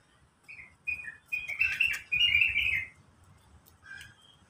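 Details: White-rumped shama song played to prompt other shamas to sing: a series of short whistled notes building into a louder warbled phrase, then a final note, over low background hum.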